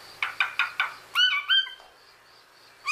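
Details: A talking cockatoo: a run of four short clipped bursts, then two longer tonal, voice-like harmonic syllables, a quiet pause and a final rising note at the end.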